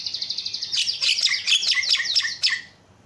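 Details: Javan myna used as a lure to set other mynas calling: fast ticking notes, then harsh, squeaky chattering phrases with bright rasping bursts, ending abruptly.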